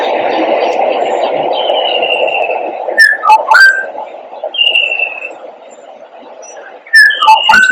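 Clear, fluty oriole whistles with short liquid slurred notes and a few longer steady tones, over a steady radio-like hiss.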